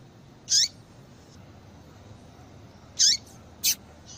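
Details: Yellow-bellied seedeater female giving calls meant to excite males and set them singing: three sharp, high peeps, the first two with a falling tail, spaced irregularly over a few seconds against faint background hiss.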